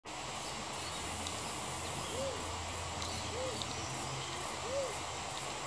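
A crested pigeon gives three soft, low, rising-and-falling whoops about a second apart, over a steady wash of wind or distant traffic noise.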